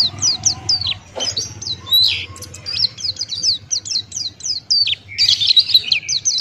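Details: White-eye of the Buxtoni type singing Ngalas style as a tutor recording: long run of rapid, high, down-slurred whistled notes, partly overlapping, with a rougher burst near the end and a steady low hum.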